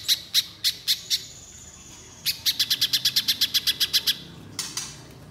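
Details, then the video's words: Spiderhunter in full song, used to prompt young birds to sing: spaced sharp chips, a thin high whistle, then a rapid run of about fifteen clipped notes and a final short burst. "Pijantung Pisang Gacor Nembak Panjang"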